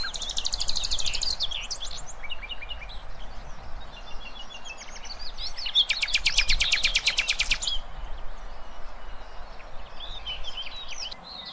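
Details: Nightingale song played to train young goldfinches and hybrids: high warbled phrases, then a long fast rattle of repeated notes lasting about two seconds, followed by scattered twitters over a steady low hiss.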